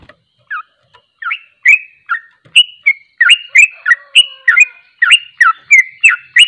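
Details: Sooty-headed bulbul (trucuk) starting with a few scattered whistles, then speeding into continuous ropelan song of rapid, slurred notes packed closely together.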